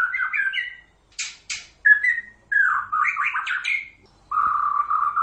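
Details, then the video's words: Energetic White-rumped shama song used to bait other shamas into replying: short whistled phrases, two harsh rasping high notes, a warbled run of rising whistles and a steady low trill to finish. "suara murai batu gacor"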